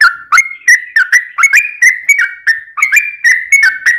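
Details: Lure song of an actively singing sooty-headed bulbul, meant to provoke other birds into replying: a steady run of loud whistled notes, each with a sharp attack and a falling slur, around three per second.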